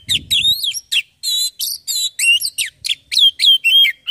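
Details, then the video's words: Oriental magpie-robin, a lure to prompt another kacer to sing: rapid, rich whistled song of rising and falling slurs and chirps, packed closely together. A short low thud is heard at the start. "Burung Kacer langsung bunyi dengar ini"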